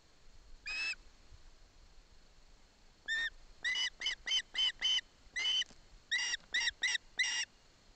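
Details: Osprey chick at a nest in Barlinek Forest, Poland, with its mother nearby, taking a fish from its father. After one early call and a pause, it gives a rapid, uneven run of about ten loud, harsh whistled yelps.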